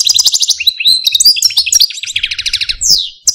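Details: Pet Algerian Parva goldfinch male in its cage, pouring out continuous quick twittering, bright trills and short slurred notes, ending with a downward-sliding whistle.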